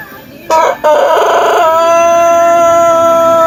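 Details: Pelung chicken, an ornamental native Indonesian breed from Cianjur, West Java, giving its long melodious crow: an abrupt start after quiet, a brief break, then one steady, level, richly harmonic tone held for about three seconds.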